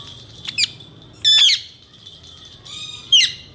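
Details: Indian ringneck parakeet, a male talking pet, gives a short chirp, then two grating, drawn-out screeches with a pause between them.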